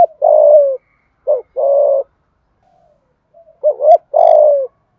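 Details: Spotted dove decoy bird calling to provoke wild doves: loud, low cooing phrases, a short rising hook followed by a long, slightly falling hoarse coo, repeated twice with a quiet pause between.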